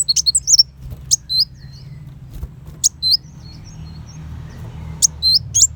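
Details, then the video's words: Sunbird known locally as kolibri wulung, singing sharp 'besetan' shots used to teach white-rumped shamas: an opening flurry of high chirps, then scattered single thin notes and short flicks across a quiet hum. "Pancingan Kolibri Wulung Full Tembakan Besetan Pedas"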